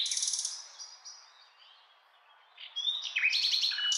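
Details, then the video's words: Nightingale song fragment: a high buzzy trill, a soft quiet stretch, then a loud burst of sharp whistled and rattling notes. "Beautiful Nightingale Singing"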